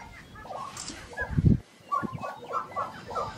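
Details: Grouse at a Colorado lek in April 2023 giving display sounds: a burst of deep low booming followed by rapid, repeated short nasal notes from several birds.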